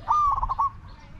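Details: Brief coo of a spotted dove during decoy luring of wild doves: one steady tone that breaks into several quick pulsed notes before fading, with light background noise.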